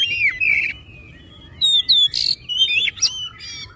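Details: Oriental magpie-robin singing to stimulate other magpie-robins: short fluid whistled phrases interrupted by harsh buzzy rasps and bright upward-sweeping notes.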